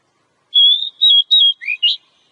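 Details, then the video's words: Wild Oriental magpie-robin singing in ngobra style: level whistled notes in quick succession, then lower rising slurs, loud and clear. "Pancingan suara burung kacer alam"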